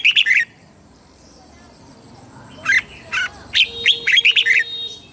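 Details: Red-whiskered bulbul, caged in Thailand, in southern master-style song meant to excite birds and tutor chicks. A phrase ends, and after a pause two separate whistles lead into a rapid warbling run.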